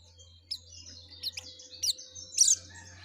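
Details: Yellow-breasted white-eye in lively song, thin high whistles and sharp rising chirps spaced through the phrase, ending in a louder twittering burst, over a faint low steady hum.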